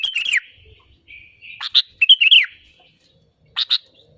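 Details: Sooty-headed bulbul song used as a lure to make other birds sing: a falling slurred phrase, a drawn-out whistle, then bright warbled notes and two short closing chirps.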